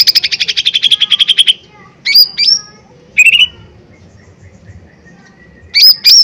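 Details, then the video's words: Provocation lure of a lesser green leafbird: a rapid trill fades out, then brisk whistled notes sweep sharply upward in pairs, with short gaps of quiet between phrases. "Pancingan Cucak Ijo Mini Gacor Full POWER Tembakan keras Mancing Emosi"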